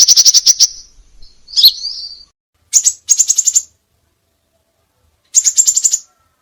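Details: Crimson sunbird (Aethopyga siparaja) masteran song with many variations: high, buzzy rattling bursts of rapid pulses, one longer trill series, a blurred warbled phrase, then two more pulsed rattles after short pauses; otherwise quiet.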